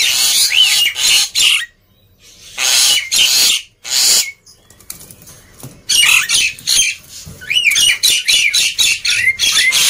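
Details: Vigorous song of a black-winged myna, used to stir quiet birds into singing: harsh rasping bursts with upslurred and looping whistles, separated by short silences, then a run of rapid chattering notes.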